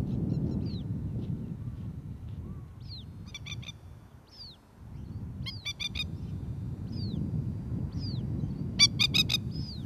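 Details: A female Masked Lapwing (Spur-winged Plover) calls an urgent warning while a dog is near her ground nest with a one-hour-old chick. Clipped, rapid rattles recur three times, with thin high downward-curving whistles between them and a low background rumble.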